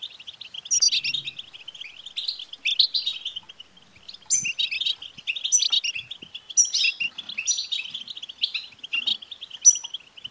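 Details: Goldfinch btbta song intended to encourage a male goldfinch to sing. Continuous chirping chatter with clusters of high tinkling and buzzy notes recurring every second or two, and little else audible.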